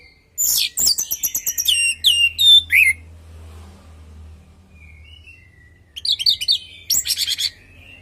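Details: Orange-headed thrush song used as a lure for other birds: a rapid tumbling medley of chips and slurred whistles, a quiet gap, then two short bursts of buzzy chatter.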